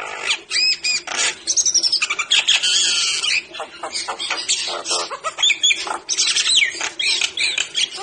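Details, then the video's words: Nias hill myna in a rapid, continuous run of loud, varied whistles, harsh squawks and gurgling notes, some rising and some falling, with no pauses; recording used to prompt a lazy or stressed myna to sing. "Pancingan Jalak Nias"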